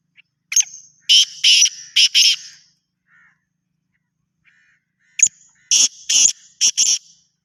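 A black francolin gives two harsh, grating phrases of about five rasping notes each, a few seconds apart, with quiet in between.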